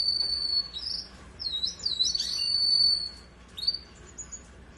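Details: Russian canary singing high, clear whistled notes: long steady tones, then quick warbling trills and slurred flourishes, ending with a short rising note, over a faint low background hum.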